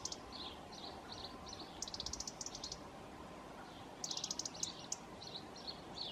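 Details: In Croatia, a European serin gives high, thin chirps and two quick jingling bursts of rapid, glassy notes over a steady background hiss.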